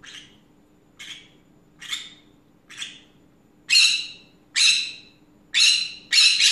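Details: Pet green-cheeked conure on an afternoon rant, giving eight harsh, scratchy squawks roughly once a second. The first four are softer and the last four much louder, with a steady low hum in the room.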